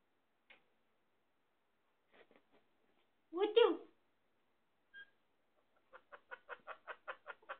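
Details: Indian ringneck parakeet, called sindhi parrot, talking: scattered short syllables, then one loud harsh burst, then a quick even run of about ten clipped notes near the end.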